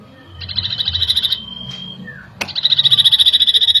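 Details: Common iora song, used as a lure that quickly provokes agitation: two bursts of rapid, high, even trill pulses separated by a thin, level whistle, with a sharp click between them.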